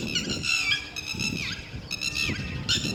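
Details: Lapwing defending its chicks: sharp, ringing calls repeated in short clusters with pauses between, and a constant low background rumble.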